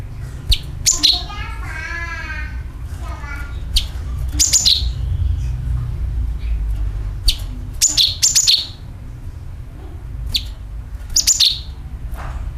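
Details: Sooty-headed bulbul call used as a lure to attract birds, a calling sound plus a dragging call: sharp, high, downslurred chirps in clusters, with a lower, wavering, buzzy phrase early on and steady low background hum.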